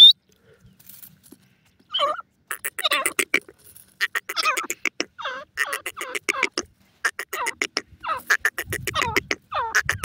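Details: Francolin, locally called teetar, giving a run of rough, scratchy notes. Each note sweeps and rises, and they come in rapid, uneven series. Faint low rumble late on.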